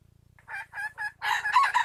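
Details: Three stretched, nasal clucks from a wild junglefowl lead straight into the start of a loud, harsh crow, all above a faint low hum.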